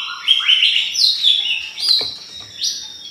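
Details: White-rumped shama song used as a lure to provoke other shamas: varied whistled phrases sliding between low and high notes, with quick rising and falling slurs, a faint constant high tone behind.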